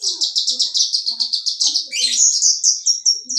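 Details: Javan bush lark, a dancing captive bird on a rock, delivering a fast series of high, evenly repeated chips that merge into a rising buzzy trill and then slower clear whistled notes.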